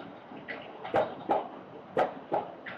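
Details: Peregrine falcon in Melbourne's central business district on 4 October 2020 at 09:29, giving four harsh, chattering calls roughly every half second over steady city hum.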